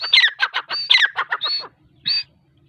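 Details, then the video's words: Female grey francolin calling: a quick run of harsh, squeaky notes, each sliding down from high to mid pitch, for under two seconds, then a pause and one last short high note. "Teetar sound | teeter voice"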